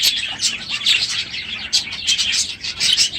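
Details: Aviary budgerigars, numerous at the close of the breeding season, call loudly in the morning; bursts of bright chirrups and scratchy chatter come in waves every half second or so.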